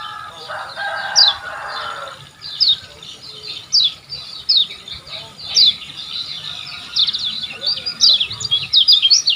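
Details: Olive-backed sunbird, the Lombok yellow form used as a master recording to train caged birds, giving a fast run of sharp high chirps and twittering notes in short bursts, with a brief low voice near the start.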